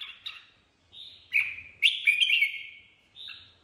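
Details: Red-whiskered bulbul in free song, delivering a string of whistled notes and a loud rolling warbled phrase, then a softer closing whistle.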